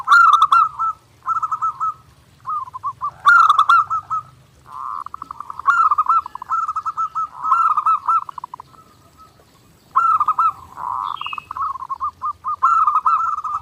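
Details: Zebra dove singing vigorously and nonstop, a clear master recording for daily training: stuttering, rolling coo phrases of quick pulsed notes ending in drawn-out purrs, repeated in bursts with short pauses between.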